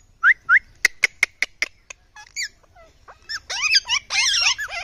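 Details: Indian ringneck parrot (rose-ringed parakeet) giving two clean upward-sweeping whistles, then a quick series of sharp clicks, ending in a burst of harsh, warbling squawks.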